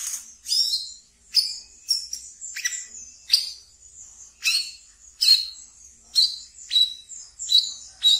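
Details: Kept brown-throated sunbird delivering ngeriwik-style song, used to draw out untrained birds: sharp, very high descending chirps and squeaky notes repeated roughly every half second in a steady chattering string, clean background.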